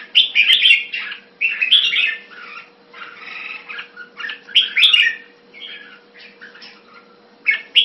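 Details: Caged red-whiskered bulbul giving short bursts of harsh, chattering warbles separated by quieter gaps, a faint steady hum running underneath throughout.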